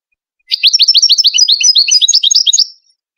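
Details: Moroccan Widani goldfinch, a European goldfinch sung for chicks to copy: one unbroken phrase of over two seconds, packed with fast, high, bubbling twitters and downslurred notes.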